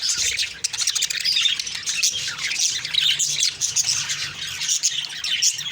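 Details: Budgies chatter loudly on an October 2, 2023 morning, an unbroken stream of high squawky chirps and warbling notes from several birds at once.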